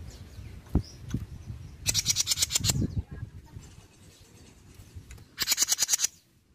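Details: Jenggot bird song meant to provoke other birds to answer. Two bursts of rapid, high, metallic chatter, each about a second long and separated by a quieter pause, over low rumbling and a few soft knocks.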